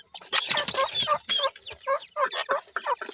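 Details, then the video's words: Grey francolin chicks give a continuous chattering stream of short harsh notes, many overlapping, pulsing several times a second without pause. "Grey francolin chicks Call,dakhni teetar chicks ki awaz,sindhi teetar chicks ki awaz"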